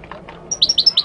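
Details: Moroccan goldfinch delivering one short, rapid phrase of five or six high, clipped chirps in steady succession.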